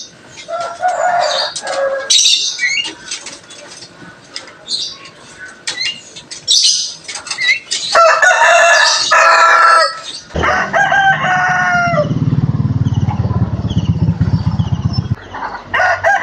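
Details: Rooster in the Jabodetabek area of Indonesia crows, loud harmonic calls that rise then hold and fall, strung together with clucks and background noise.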